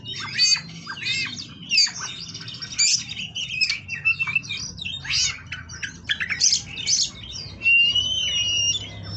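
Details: Oriental magpie-robin, 'kawat berduri' type, kept at a breeding farm in Kroya, Indonesia: energetic varied song of scratchy chirps, buzzy phrases and clear whistles in quick bursts, closing with a drawn-out wavering whistle.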